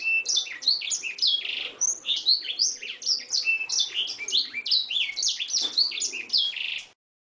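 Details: Oriental magpie-robin song full of canary-style phrases, recorded as training material for birds: a dense, continuous run of high whistles, slurred rising and falling notes and chatters for about seven seconds, then silence.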